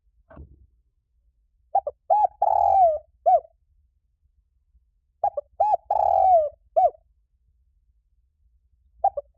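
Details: Spotted dove cooing, a recording used to rouse and train other doves: two full phrases about three and a half seconds apart, each a quick stutter of short coos, a long drawn note sliding down, then one closing coo. Faint low rumble behind.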